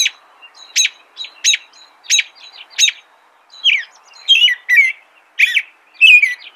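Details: Sharp, evenly spaced clicking chip notes repeated about every 0.7 seconds open the sequence, followed by the American robin's warbled whistled song phrases, slurred and falling, over faint low background hiss.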